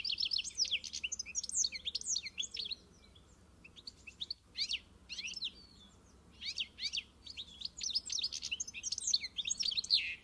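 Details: European goldfinch in pintassilgo encarte song: lively runs of high, tinkling twitters and chirps in repeated bursts, separated by short pauses.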